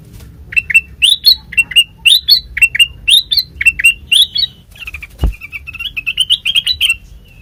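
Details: Sooty-headed bulbul song used as a lure for other birds: bright chirpy phrases around mid-high pitch, short rising notes repeated about once a second, a sharp click near the middle, then a faster run of bubbly notes.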